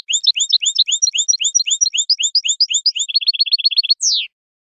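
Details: Parva-style goldfinch song from 2019 for tutoring juvenile birds: a long run of paired, rising twittering notes, then a quick dry trill, ending in a drawn-out descending slurred note. Clean recording.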